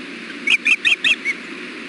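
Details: Osprey at the nest during a fish delivery: five short, high chirped whistles, the last one softer and flatter, over faint background hum.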